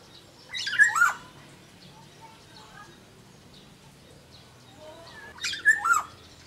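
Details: Sumbawa black-naped oriole kept in a cage sings two short fluty phrases roughly five seconds apart, each a warbled dip and rise, with faint soft background noise between.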